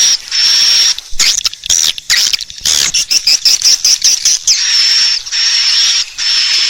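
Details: Sound for luring swiftlets to roost in a bird house: a steady high whistling buzz gives way to rapid clicking chirps and twittering, then the buzzing whistle resumes.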